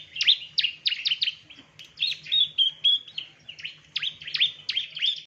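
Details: Recording of a male bar-winged prinia for training other birds: bursts of rapid, downward-sweeping chirps separated by short pauses, some notes with a brief whistled rise, plus a faint low hum in the background.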